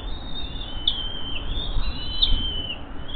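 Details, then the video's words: Hungry bald eagle eaglets at the Hays nest begging as their father flies in carrying a bird, morning of 5.10.23 at 9:49am; thin, high whistled peeps drawn out in faint rising and falling lines over a steady low outdoor rumble. "Dad in with a Bird Hungry H19 H20 Eaglets Go for it !"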